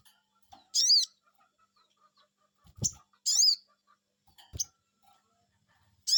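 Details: Sogon bird answering a lure call: loud, sharp 'cuiit'-like notes with chevron-shaped, bending high pitch, given in bursts a few seconds apart, with faint low thumps between calls.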